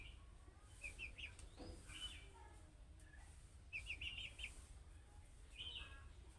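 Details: Budgerigar chick calls meant to draw replies from other budgerigars: short clusters of rapid high chirps at irregular gaps, each burst a quick stuttering trill, with faint hiss and low hum.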